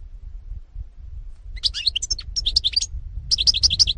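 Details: European goldfinch song from 2018: after a quiet start, rapid high twittering bursts of short tinkling notes, a pause, then a quick repeated run of bright chirps, with low background rumble throughout.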